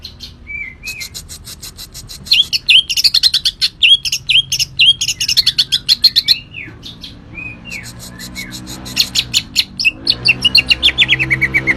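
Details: Green leafbird singing vigorously: a few clear slurred whistles, then a fast, varied chatter of high chirps, swoops and quick trills continuing throughout with light background hum.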